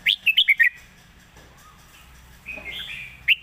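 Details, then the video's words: Red-whiskered bulbul singing in a phrasing style praised as fine and light: five clipped, bright whistled notes in quick succession, a near-silent gap, then softer warbled notes and one final sharp whistle. "สำนวนดี ปากเบานกดาวรุ่ง"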